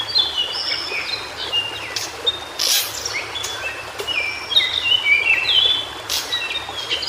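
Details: A wild white-browed shortwing sings in native habitat. Bright whistled phrases of stepped and sliding high notes are broken by a few brief noisy bursts and backed by steady hiss.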